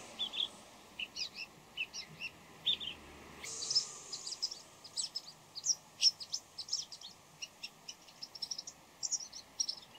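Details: Bull-headed shrike singing before dawn: a lively, varied stream of high chirps, chatters and squeaky notes at an irregular rhythm. One brief harsh, broad burst stands out in the middle, over a faint background hiss.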